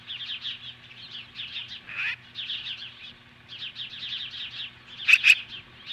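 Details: At a Lolo, Montana nest on a July 2015 morning, an osprey facing magpies gives steady strings of high, thin whistled chips in quick series, ending in a sudden loud pair of sharp notes.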